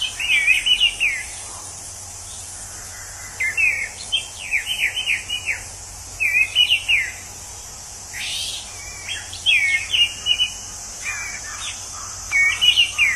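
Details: In the wild, an orange-headed thrush, a bird said to sound like a drunken person, repeats short rich phrases of twisting whistled notes every few seconds against a continuous high-pitched insect buzz.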